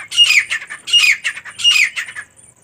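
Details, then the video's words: Female teetar, a partridge, gives three rhythmic raspy squawks spaced roughly 0.7 seconds apart, each followed by a shorter scratchy note, then falls silent. "teetar ki awaaz & teetar female sound"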